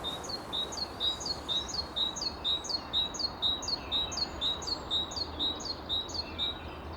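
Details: Great tit song, bright two-note 'teacher' phrases repeated about twice a second, ringing and regular, with other tits singing nearby over a low rumble; males with longer, more intricate songs attract mates better.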